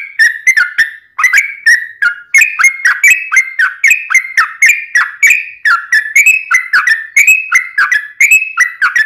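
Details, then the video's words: Extended yellow-vented bulbul song, used to provoke other bulbuls into singing: continuous bubbly whistled phrases about one per second, a short break near the start, then an unbroken flow. "SUARA trucukan gacor ROPEL PANJANG"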